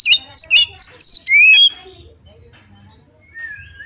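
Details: Oriental magpie-robin song played to provoke another bird into fighting: a quick cluster of loud whistled and slurred notes in the first second and a half, then fainter drawn-out whistles.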